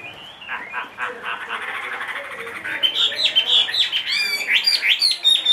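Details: Caged Chinese hwamei, a large-bodied bird aged two and a half, said to sing anywhere. Its song starts soft and grows into loud, varied whistled phrases, rising and falling slurs, and rapid high notes with quick trills near the end.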